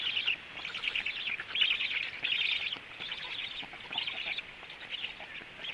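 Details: Black stork nest at 14:45, male returning and feeding: harsh, wheezy rasping phrases in uneven bursts of roughly half a second to a second, rising and falling in loudness, with no other clear sounds.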